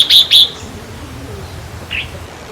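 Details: Red-whiskered bulbul song, used for decoy trapping and played to excite caged birds: a quick pair of bright, loud whistled notes at the start, then a single fainter note after a pause over a quiet background.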